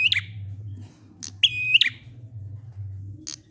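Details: Prinia in ngalun style, used to set other prinias singing: one full, steady, buzzy note flanked by sharp clicks, with brief fragments at the start and end, over a continuous low hum.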